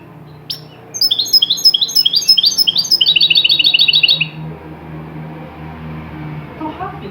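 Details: European goldfinch singing a distinctive Tunisian 'jaghl' tarqa, an original Tunisian song style used for tutoring goldfinches. Rapid bright twittering runs of high, repeated chirped figures for about three seconds, then a quieter stretch with steady low hum.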